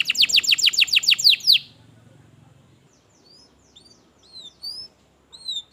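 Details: Canary song meant to coax a reluctant caged canary into singing: a burst of about nine fast descending sweeps over one and a half seconds, then quiet with scattered thin upslurred chirps.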